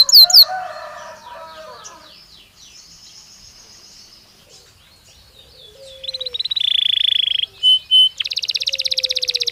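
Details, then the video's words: Belgian canary stimulus song meant to make a canary answer with a clearer voice: soft, scattered twittering at first, then a buzzy roll, short whistles and a fast rattling trill. "Som de estímulo que faz o canário belga responder com voz mais clara"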